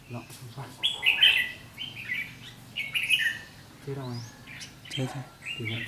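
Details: Red-whiskered bulbul pouring out ché fighting song at a decoy during trapping, 7 July 2016: lively chirping phrases about every two seconds, overlapping with men's voices.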